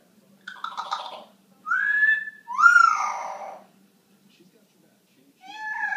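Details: Rocky, a pet yellow-naped amazon, imitates a rooster's crow on cue in three drawn-out, harsh phrases, rising then sliding down; a person's voice coaxes and praises it.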